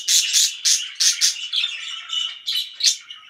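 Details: Pet budgerigars chirp very loudly, a series of harsh, broad squawky chirps about every quarter second, then softer warbling and two more sharp calls.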